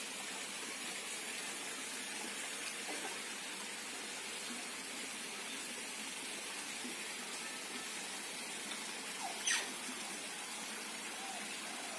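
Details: Only a steady rushing hiss like running water fills the recording, broken by a single brief knock near the end.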